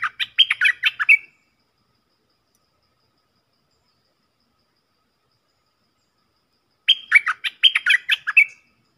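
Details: Stripe-throated bulbul (Thai dok taeng, Malay merbah lekir), a decoy-style recording that stresses the opening phrases. A quick burst of bubbly, chattering notes lasts just over a second, then a long silence before a second matching burst. Nothing else is audible.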